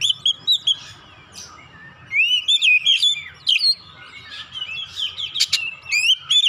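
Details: Kacer lure song for provoking birds: oriental magpie-robin whistles, rising slurs and buzzy notes, about 146 a minute, over a faint low background rumble.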